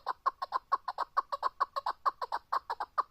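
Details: Chukar partridge calling in a steady series of sharp, clucking chuck notes, roughly two every second, with a hoarse, harmonic quality and little background noise.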